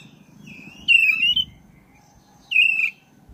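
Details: Caged black-breasted oriental magpie-robin delivering 'ngeroll' song used to stir other birds into singing: two long, bright whistled notes, each rising slightly and held, about a second and a half apart over a faint hum.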